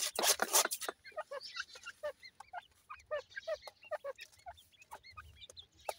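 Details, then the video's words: Partridge chicks playing: a quick run of short arched peeps, several per second, following a loud rustling burst at the start, with scattered sharp clicks throughout. "partridge bird chicks playing"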